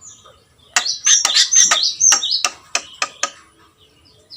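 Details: Javan myna (jalak kebo) in energetic gacor song, a burst of loud harsh notes with high squeaky whistles, followed by a few spaced clicks before falling quiet.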